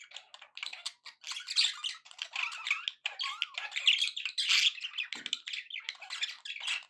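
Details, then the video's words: Happy pet budgies chattering nonstop indoors, a busy, buzzy stream of warbles, clicks and squawks with no real pause. "happy budgie sounds"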